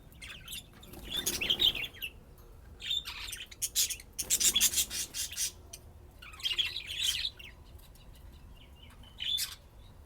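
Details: Budgerigars playing and chirping, kept as pet birds in Austin, Texas, USA: bursts of scratchy, buzzy chatter and short high chirps in clusters around the second, fourth and seventh seconds, with quiet gaps between.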